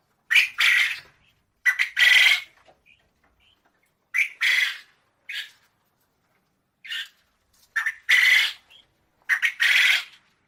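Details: Quail calling in harsh, raspy, broadband bursts, often paired as a short note followed by a longer one, with groups coming every one to three seconds and silent gaps between them.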